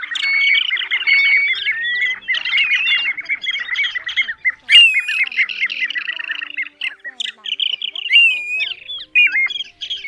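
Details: Compilation of plover calls for trapping with night nets, covering several species including Pacific golden plover and grey plover: rising whistled notes over a constant chatter of squawky chirps, with louder sharp whistles midway and near the end.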